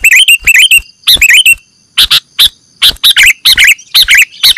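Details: Sooty-headed bulbul calls from a lure recording for catching birds: bursts of sharp chips mixed with bubbly, looping whistled notes, repeated in quick groups, over a faint steady high background tone.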